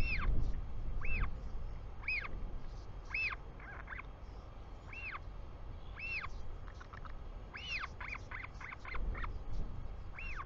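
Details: Royal albatross chick in New Zealand greeting its returning father at the nest, afternoon of 24 July 2020; high arched whistled peeps repeated roughly every second, mixed with shorter stuttering notes, over steady wind rumble.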